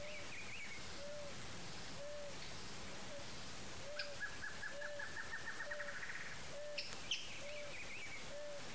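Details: Rufescent Tiger-Heron (Tigrisoma lineatum) giving a steady series of short, hollow hoots about once a second; other birds add a fast rising chatter and high whistles.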